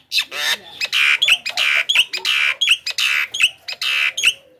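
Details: Javan myna lure call for attracting wild mynas: loud, rapid series of broad harsh screeches and clicks, many long rasping bursts running almost back to back for nearly five seconds.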